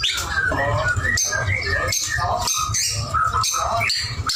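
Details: White-rumped shama singing vigorously: short whistled phrases around mid pitch with higher thin notes, broken by brief pauses, over a steady low hum and some voice-like murmur.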